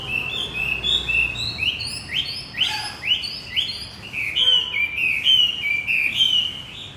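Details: Javan white-eye song used as a lure to prompt a male that has stopped singing: a fast run of high, sweet whistled notes, many rising or falling slurs at about one per second, steady and clear against a quiet background.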